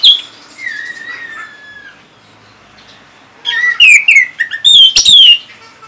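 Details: Caged orange-headed thrush from northern Bali, used to coax other birds into singing: a soft drawn-out whistle, a pause, then a loud tumbling burst of varied whistled notes.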